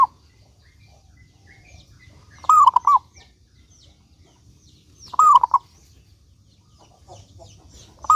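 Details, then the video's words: Zebra dove of local stock, singing briskly as a lure to prompt other doves: rolling, staccato coo phrases of a few notes each, repeated roughly every two and a half to three seconds, with faint noise between. "Perkutut Lokal Gacor Suara Paling Ampuh Untuk Pancingan Burung Perkutut Agar Bunyi gacor dor"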